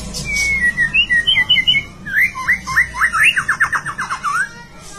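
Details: White-rumped shama song of varied whistled phrases: a wavering whistle, quick looping notes near the start, then a fast series of rising sweeps repeated about eight times per second, ending in a falling trill; faint low background hum.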